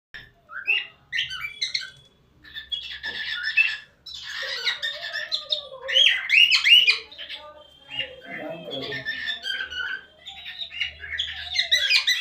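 Cockatiels chatter with harsh squawks and bright, warbling chirps, one after another.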